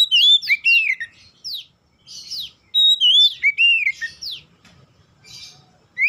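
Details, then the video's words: Oriental magpie-robin singing, a recording meant to trigger song in other magpie-robins; sweet looping whistles and steep downward slurs come in two bold bursts, then softer scratchy notes and a late rising whistle. "PANCINGAN Kacer bahan cepat gacor"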